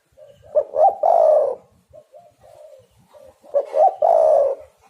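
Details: Spotted dove calling, played to lure and trap doves in Java: two cooing phrases, each beginning with a few short soft notes and ending in a loud rough prolonged coo, about three seconds apart.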